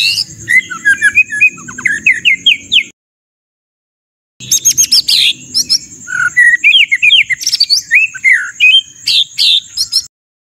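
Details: White-rumped shama song with rough 'shot' fillers: bursts of loud, varied whistled phrases and sharp descending notes, a pause of about one and a half seconds, then dense, explosive chirps and sweeps over a steady high hum.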